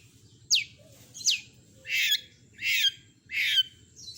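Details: Long-tailed shrike (cendet) in a songbird tutor recording: two sharp downslurred whistles followed by three longer grating, buzzy calls spaced under a second apart, over a quiet low hum.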